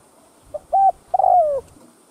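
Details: Spotted dove coo for luring other doves: a faint lead note, a short level hoot, then a long loud coo that drops steadily in pitch.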